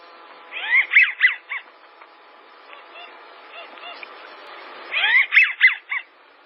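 American wigeon giving breathy three- to four-note whistled phrases, rising then falling, twice about four seconds apart, with softer whistles from other birds between.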